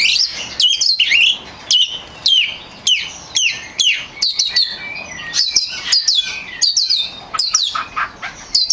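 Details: Kacer, the oriental magpie-robin, a champion singer used to train captive songbirds: high, sharp downslurred whistles and chips repeated continuously and densely throughout, with varied squeaky notes.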